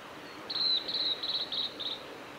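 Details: A male blue-and-white flycatcher singing at Lake Miyagase, Japan, on 17 May 2020: a long, high whistle followed by a rapid string of short whistled notes at the same pitch, over a quiet hissing backdrop.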